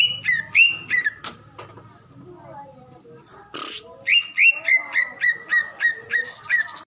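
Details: A human voice at the start, then a greater green leafbird bursts into song with a steady string of clear, falling whistles, about three per second, plus a brief harsh high note.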